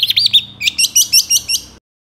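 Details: Long-tailed shrike song, played to provoke lazy shrikes into singing: a few wavering whistles, then a fast run of about seven sharp, high, chipping notes that stops abruptly.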